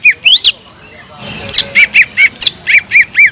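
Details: Cucak ijo, the Sumatran leafbird, singing as a provoking lure: a rising warble, a short pause, then a brisk run of clear arched whistles punctuated by sharp high slurred notes.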